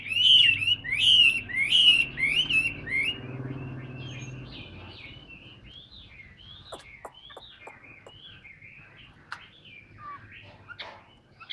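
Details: Caged hwamei opening with loud, rising whistled notes repeated about every half second, then fading into softer, scattered phrases over a low background hum.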